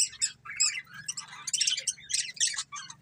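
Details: Breeding pair of budgerigars giving rapid, twittering chirps and scratchy warbles in quick, irregular bursts, high and bright, with a steady faint low hum behind them.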